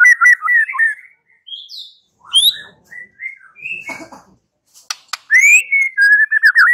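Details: White-rumped shama song as a lure for an answering bird, made of varied whistled phrases, upslurred and downslurred notes spaced by pauses, ending in a fast run of repeated notes.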